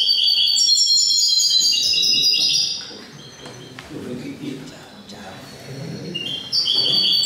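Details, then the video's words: A European goldfinch hybrid in an indoor finch song contest in Cádiz on 21 April 2019 sings a fast, tinkling, twittering song, pausing midway before resuming, with low murmuring voices in the background. "MIXTOS JILGUEROS"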